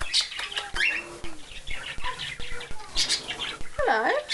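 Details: Two hand-reared pet cockatiels, talkative and cheeky, calling while desperate to be let out for playtime: a busy run of chirps, whistles and harsh squawky notes, ending in a loud wavering rising-falling whistle, with wing flaps and a person's voice.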